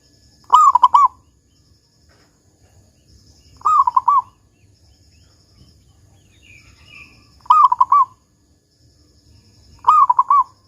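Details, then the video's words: Zebra dove, local bird, with its big 'kung' song used as a lure to start other zebra doves singing: four short, rolling, stammered coos about every three seconds, with a faint chirp midway. "Perkutut Lokal GACOR Suara Kung Besar Pancingan Burung Perkutut Agar Bunyi"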